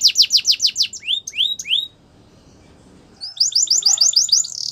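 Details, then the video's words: Morning song of a yellow canary, starting with rapid high chirps and descending whistled sweeps, breaking off into about a second of silence, then resuming with a quick trilled run of sharp notes. "Yellow Canary Singing In The Morning"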